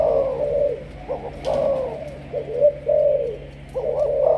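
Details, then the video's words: Captive Malaysian spotted dove, a 'sấm thổ' voice decoy, coos richly and loudly: long sustained low notes broken by brief stuttering coos, with steady low background hum. "Cu gáy Malaysia"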